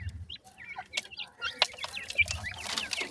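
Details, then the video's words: Several francolin chicks of white and brown teetar types peeping, with short high whistled notes that slur up or down, scattered irregularly, over sharp clicks and low handling rumble. "gora teter checks,bhura tetar checks,mix tetar checks"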